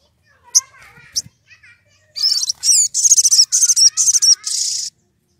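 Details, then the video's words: Agitated wild sogon calling a rival: two sharp high notes, then a dense burst of rapid, high, chattering squeaks in quick series lasting about three seconds, with faint softer chirps beneath. "Sogon emosi cari lawan"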